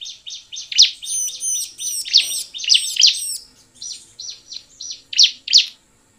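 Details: Lively Bar-winged prinia song used to coax other prinias into singing: quick, insistent high chirps opening with ringing looped whistles, then a steadier run of sharp notes fading out at the end.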